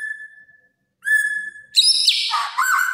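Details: White-rumped shama giving long pure whistled notes held at one pitch, a pause, another sustained whistle, then a burst of harsh, scratchy, high notes dropping into a rich warbled phrase.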